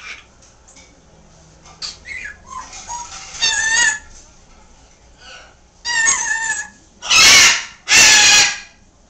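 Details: Pet green-winged macaw calling loudly from another room, not to be upstaged by a chattering African grey. Softer chatter and clicks come first, then two long, harsh, very loud screams near the end.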